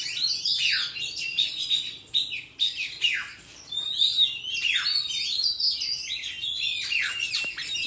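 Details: Oriental magpie-robin singing wild forest song used to train young birds, a continuous stream of sweet whistles, dipping slurs and quick chattering notes, loud and rich throughout.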